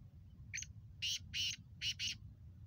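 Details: Black francolin calling in a voice style named speeder and nasal Chakri Wala: a brief thin lead note followed by two long grating notes and a quick closing pair, loud and buzzy above faint low rumble.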